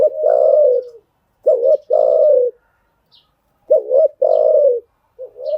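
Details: Spotted dove coo recorded to train newly caught birds: full, mellow phrases of a quick double hoot followed by a longer level coo, repeated twice with a faint high chirp between.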